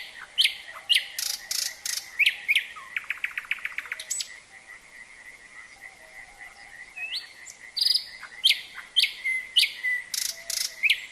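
Common Nightingale singing varied loud phrases: sharp clicks, a rapid run of repeated notes and pure whistles, over a steady, droning chorus of frogs.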